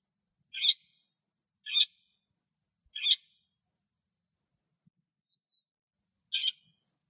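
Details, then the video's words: Lesser grey shrike singing in Greek nature; short harsh chattering bursts around the upper range, four phrases spaced roughly a second apart, then a pause before the last, otherwise quiet background. "Σταχτοκεφαλάς που Κελαηδάει - Lesser grey shrike Song"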